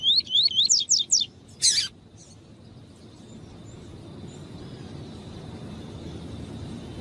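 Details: Double-collared seedeater (Sporophila caerulescens, coleiro tui tui) sings a quick run of five high rising-falling whistled notes, then a sharp buzzy burst, followed by quiet with low background hiss.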